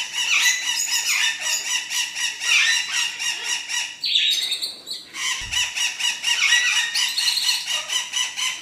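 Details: Exhibition budgerigars, including king-size red-eyed, crested and fallow varieties, in a dense flock chorus of harsh, buzzy chattering and squawks that runs almost without pause, with a brief dip near the middle.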